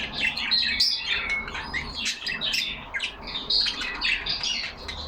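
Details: Several yellow pet budgies talking among themselves in a cage, loud continuous chatter of sharp chirps, squeaky trills and short whistles packed tightly together.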